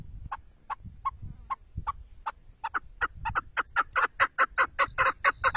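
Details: Chukar partridge calling, a series of clucking notes that begin slow and spaced, then speed up and grow louder into a rapid chattering run, with low rumbling background noise early on.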